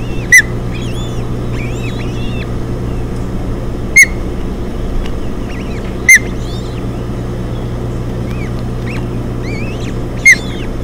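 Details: Ospreys at a Hog Island nest in June 2017 during feeding of three chicks: loud sharp chirps every few seconds, with faint curving whistles between them over a low steady drone.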